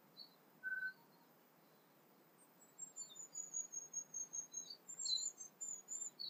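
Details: A tui sings at sunrise on an early South Pacific morning among other birdsong: thin, very high notes, a short lower whistle, then a quick run of sharp chirps at about three per second over a soft hiss.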